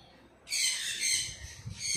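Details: Blue-and-gold macaw kept as a pet, eating green bell pepper, gives one harsh, raspy, broadband screech lasting a little over a second, followed by a shorter rasp at the end; faint low rumbling underneath.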